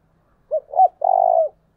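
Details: Spotted dove calling in the early morning to lure wild doves, a 'thổ đồng' style voice: two short mellow hooting notes followed by one long, low, finely purring coo, over a silent background.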